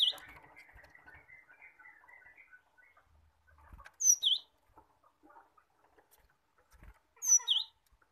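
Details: Cinereous tit song played to coax caged birds into singing: three loud phrases, each a sharp high whistle falling into a V-shaped note, repeated every three to four seconds, with softer warbling chatter in between.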